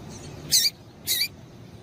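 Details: Female double-collared seedeater giving its 'tui tui' call to excite the male: two very high, sharp, short chips about half a second apart over a soft steady background hiss.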